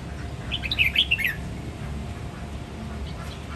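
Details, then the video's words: Red-whiskered bulbul, Sông Kon line of Quảng Nam, Vietnam, in a ché nẹt many-voiced song: one quick jumble of chirping, warbled notes near the start, then only steady background noise. "Chào mào hót nhiều giọng: ché nẹt siêu hay"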